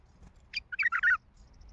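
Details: Wild Baghdadi bulbul, noted for a heavy throat, singing one short burst of rich, bubbling warbled notes lasting under a second, rising into a fuller fluty ending, over a quiet, faintly humming background.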